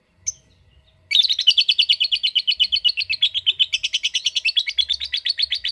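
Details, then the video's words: Lovebird giving a long trilled chatter, called out to make it sing extended trills: after one brief chirp and a pause, a rapid, steady run of buzzy repeated notes, about eight per second, continuing for nearly five seconds. "Love Bird Ngetik Cara Cepat Memanggil Love Bird Agar Ngekek Panjang"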